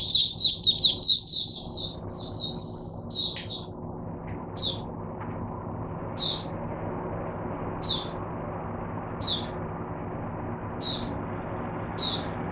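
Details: Oriental white-eye used to teach other white-eyes, recorded 22 January 2022; a brief fast twittering burst opens, followed by single high chip notes spaced roughly every one and a half seconds.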